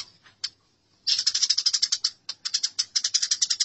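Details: Fighting house sparrows in a masteran recording: a few isolated sharp chirps, a pause, then a fast stream of shrill, scratchy notes that breaks briefly and resumes.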